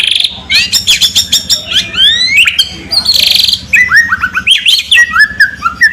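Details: Loud, lively white-rumped shama song, rich and varied: fast rolling chip series, then clear whistled slurs sweeping up and down, a harsh buzzy burst midway, and a run of falling whistled notes at the end.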